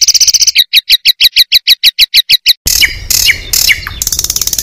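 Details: Competition Oriental magpie-robin in full song at a contest: a fast run of evenly spaced double-pitched buzzy pulses, about three per second, breaking into harsh noisy bursts with falling whistled slurs.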